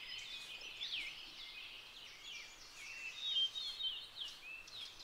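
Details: Purple finch singing: a soft, continuous warble of quick, slurred notes that rise and fall, with scattered brief chirps running through the whole stretch against a quiet background.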